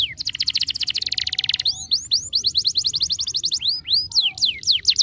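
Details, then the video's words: Canary song used to stimulate a lazy canary. Fast even trills of paired high notes give way to sweeping rising whistles, then another rapid trill and loud upward-curving slurred notes, with no other sounds. "estimula rapidamente o som de um canário preguiçoso"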